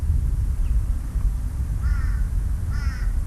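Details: Australian magpies call in the background at New Farm Park by the Brisbane River, Brisbane, on a Monday morning in 1993. They give two short, wavering, fluty calls in quick succession, faint behind a constant low rumble of wind or traffic.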